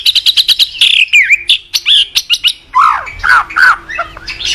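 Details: Caged white-rumped shama singing in the morning as a training lure: rapid ticking chatter, swooping whistled slurs, then louder downward-falling notes and varied twitters.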